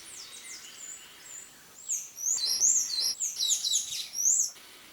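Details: Buff-necked ibis chicks begging for food in the Brazilian Cerrado: quiet high notes, then a loud, busy chorus of shrill, wavering, overlapping squeals, fading at the end.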